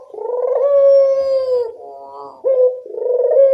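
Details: Local puter dove calling as a lure for other birds: a long, sustained, even coo, a short wavering rolled phrase, then another coo rising back up, clear and close.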